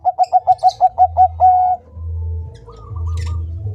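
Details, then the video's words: Bangkok-type zebra dove, kept as a master recording to train other birds, sings about eight quick rhythmic cooing notes followed by one longer drawn-out note. A steady low hum runs underneath, with faint higher sounds near the end. "Perkutut bangkok gacor"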